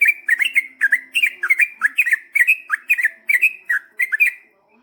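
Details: Energetic Yellow-vented bulbul 'ropel' chatter played to draw replies, an unbroken run of quick warbled chirps and short slurred whistles, repeated several times a second before ending in silence.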